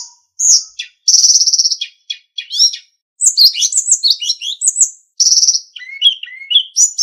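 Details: Sulingan singing in a master recording meant for training cage songbirds, a varied high song mixing short buzzy trills, tumbling whistled phrases, and sliding notes that rise and fall, with brief pauses between bursts.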